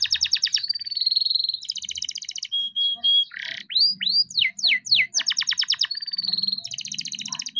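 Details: Young captive-bred canary in full rolling song, kept to spur lazy canaries into singing: rapid high trills of repeated notes, a long steady whistle, then sweeping up-and-down slurred notes before the fast trills return.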